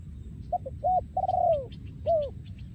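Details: Spotted dove breeding male, recorded 2023, singing โยนคูอ่าง: two quick notes, a rounded coo, a long falling coo and a closing arched coo, with faint high chirps of other birds above a low background rumble.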